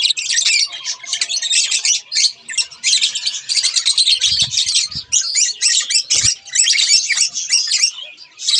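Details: A pair of budgies keeps up long, steady warbling chatter of rasping chirps and squawks, with a few soft low thumps partway through.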